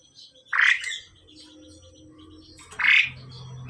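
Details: Pied myna male and female during pairing, giving two loud harsh squawking calls about two seconds apart over a low background hum.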